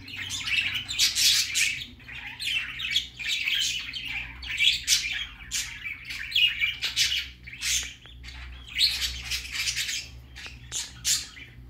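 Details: Baby budgerigar's first time out, chattering in a long run of short, harsh chirps and squawks packed closely together, with brief pauses and a steady low hum.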